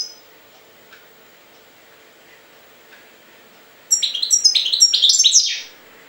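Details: A European goldfinch lets out a short, quick twittering burst of bright, tinkling notes lasting under two seconds, after a long near-silent stretch with a faint steady hum.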